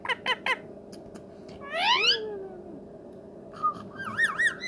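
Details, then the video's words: Pet ringneck parrot, described as a friendly talking bird, gives three short harmonic squawks, then a rising buzzy call and a run of wavering whistled notes, over a steady low indoor hum. "ringnackparrotalking parrot/frienly parrot/sweet parrot/parrot talking"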